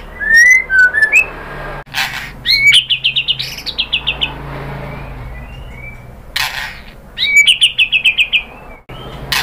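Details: White-rumped shama song played to stir another shama to sing: chirped whistles, then two bursts of rapid repeated bright notes, with sharp clicks and pauses between phrases.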